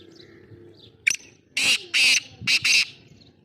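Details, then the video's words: Black francolin from Sindh, Pakistan: a single sharp click, then four harsh, grating bursts in quick succession, with the last two bunched close together; quiet rural background. "Awaaz Kala Teeter"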